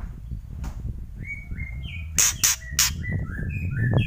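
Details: White-rumped shama loud kretekan: a steady line of level whistled notes stepping up and down, broken by three sharp clicks, over constant low rumbling background noise.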